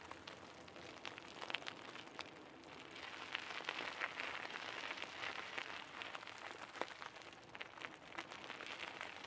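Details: Steady crackling, rain-like hiss with scattered sharp clicks and a faint vehicle rumble, with no clear animal voice.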